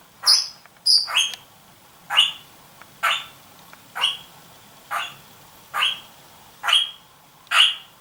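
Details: Red-rumped parrot pair at a nest box: the female peers in with her head inside as the male stays close. Clipped, sharp calls repeat about once a second, ten in eight seconds, the first few doubled and higher.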